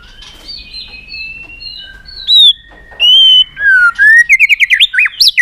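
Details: Excited White-rumped shama flicking its tail on a perch. Quiet gliding whistles build into loud, pure whistled notes, then a fast run of rapidly rising and falling warbled notes.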